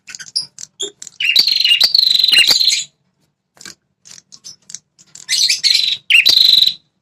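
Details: Red-headed prinia sounds meant to provoke male prinias into defending their territory. Short ticks lead into a long, steady, rasping trill, a pause with faint chips, then two more buzzy bursts.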